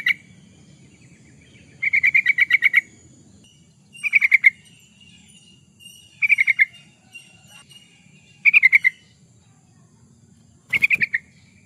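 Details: Lure recording of a yellow-vented bulbul used to train birds: short bursts of rapid, chattering notes repeated every two seconds or so over a steady low background hum.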